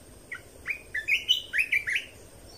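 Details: Red-whiskered bulbul training song, played to teach young birds and excite caged birds: a quick run of clear, warbled, slurred whistles, rising and falling, several notes in under two seconds over faint background hiss.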